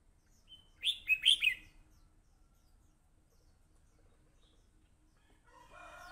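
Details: Red-whiskered bulbul (hello crest) in fighting song gives one rapid, clear phrase of three or four warbled notes, rising then falling, followed by silence and a soft rustling noise near the end.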